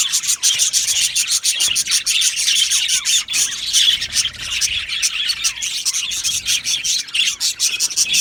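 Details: Aviary full of budgies singing and chirping, rapid staccato clicks and scratchy warbles from many birds blending into an unbroken chorus.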